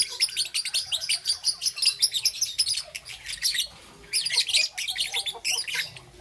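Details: Young green and yellow peach-faced lovebird chattering in the morning, a steady stream of piercing, buzzy chirps, a short lull after three seconds, then another dense burst.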